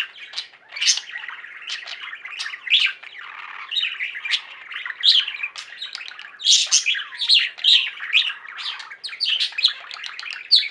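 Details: Budgerigars from a kept singing flock chatter nonstop, a busy jumble of overlapping squeaks, trills and bright chirps, with a few downward-sliding whistles woven into the warbling.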